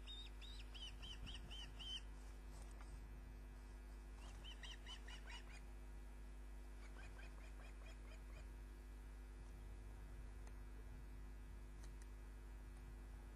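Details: Osprey arriving at a Loch of the Lowes nest in Scotland carrying a fish, 29 June 2010, 20:34: repeated bursts of rapid, high, upslurred whistled chirps, fading to fainter series later, with continuous low electrical hum.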